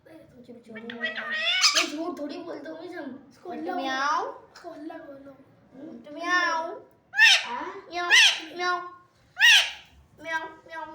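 A rose-ringed parakeet gives nasal, wavering calls, some almost speech-like or cat-like, then three sharp, shrill squawks about a second apart.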